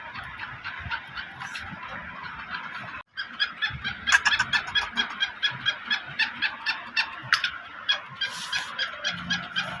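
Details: Sindhi black francolin giving a run of sharp, scratchy notes. After a brief break the notes come faster and louder, about two each second.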